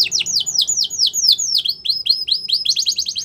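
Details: Canary training song: a tour of bright downward-swooping whistles repeated about four per second, quickening into a faster run of shorter notes toward the end.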